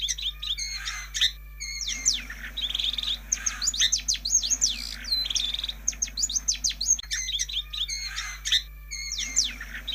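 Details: Recording of a long-tailed shrike played to coax lazy birds into singing: rapid runs of thin, slurred whistles and crisp chirps packed closely together, broken by short silences, over a constant low mains hum.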